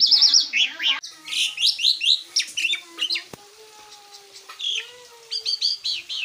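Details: Asian pied starling, recorded as training material for cage birds, mixing rapid sharp notes and rising whistles with quieter, drawn-out lower tones in the middle, then a burst of quick chirps.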